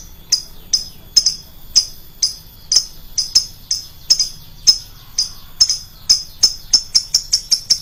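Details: High, sharp lovebird chirps played as a lure, loud and piercing: spaced single notes at first, then quickening into a tight, excited run of repeated tweets near the end.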